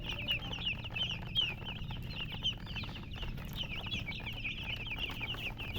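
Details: Baby chickens chirping as a flock, a busy stream of bright high peeps and quick falling whistles overlapping constantly, over a low background rumble.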